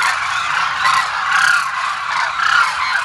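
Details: Many Demoiselle cranes at Kheechan in Jodhpur, Rajasthan, calling together in a steady wall of overlapping throaty, rolling honks with no pauses.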